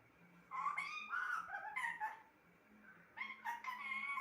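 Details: A pet parrot talks indoors in two bursts of warbling, speech-like syllables that glide up and down, separated by a brief pause, with a low steady hum in the background.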